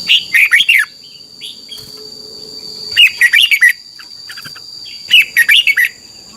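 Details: Three rapid, cheerful whistled phrases from a Thai red-whiskered bulbul, played as practice song so young birds learn to sing quickly and strongly; soft single notes between phrases and a steady high hum throughout.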